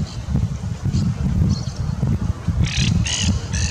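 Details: Monk parakeets at Rockwood Plaza, Calexico, Imperial County, California, on December 11, 2022, give harsh, grating squawks, three quick ones near the end with fainter ones earlier, over a steady low rumble of traffic.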